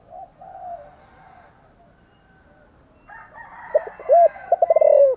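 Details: Spotted dove cooing with gusto: after a quiet start with faint background sounds, a quick sequence of low hoots and a rolling, slightly falling coo arrives in the final second and a half.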